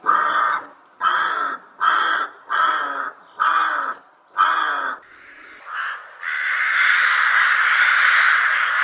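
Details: Rook calling in a quick series of six rasping caws, roughly one every three quarters of a second, followed by a lone softer caw and then a broad, continuous harsh noise to the end.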